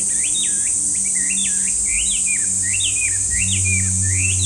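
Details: Chinese hwamei delivering clear whistled phrases. Each phrase is a quick rising-and-falling loop, repeated about three times a second. A steady high insect buzz and a low hum sit in the background.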